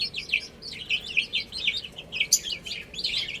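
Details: Several baby chickens chirp while eating and drinking. Their quick, high, down-slurred peeps come in a dense, steady stream, several each second.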